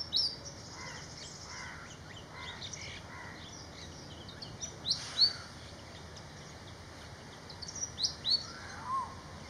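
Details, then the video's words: Malaysian pied fantail calling with quick, high, upslurred whistles in short clusters. Harsher, lower, rasping calls from another bird repeat in the opening seconds, with steady background hiss. "BEAUTIFUL BIRD SONG ❤️- Malaysian Pied Fantail"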